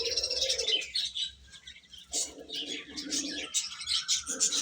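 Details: Little baby chickens eating and chirping, a steady run of high peeps over soft low buzzing, with scratching and rustling in the background.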